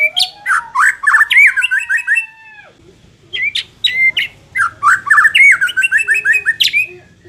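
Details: White-rumped shama song played to make a less aggressive bird more competitive: bursts of rapid, varied whistled and chattering notes around mid-high pitch, a long sliding whistle, a pause near three seconds, then more fast phrases.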